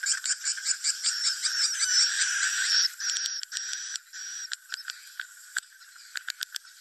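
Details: Swiftlets give roosting calls, a dense, high, buzzy chatter of rapid chirps that thins after a few seconds into scattered sharp clicks and short trills.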